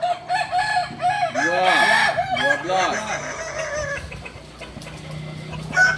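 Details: Kukuak Balenggek chicken, a singing chicken native to Solok, giving a run of short arched, rising-falling syllables repeated several times a second, with other chickens clucking around it and a faint murmur of people.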